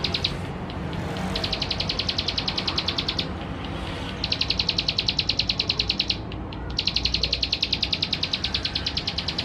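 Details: Male plain prinia from West Java, recorded with a Canon camera and used as a lure to provoke other birds. Rapid, evenly pulsed high trills come in three long bursts with short breaks between them, over steady broad background hiss.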